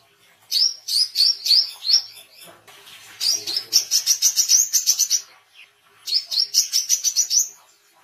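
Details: Oriental white-eye chirping for training songbirds and luring wild birds: three lively runs of rapid, high, sparkling notes with short pauses, with faint rustling in one gap.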